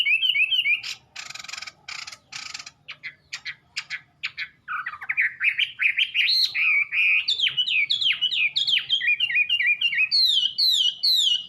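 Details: Red-billed blue magpie (Urocissa erythroryncha) singing a rapid, varied run of high, bright whistled chirps and slurred notes, with several raspy, buzzy bursts near the start.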